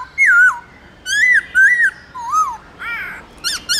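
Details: Caged white-browed laughingthrush giving its loud, clear forest-style song: a run of rich whistled notes, each rising then dropping, five phrases in under three seconds, ending with harsher rasping calls.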